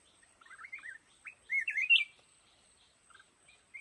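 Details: Song of a black-crested bulbul among lồ ô bamboo: a few soft slurred notes building to a loud, looping whistled phrase, then quieter fragments.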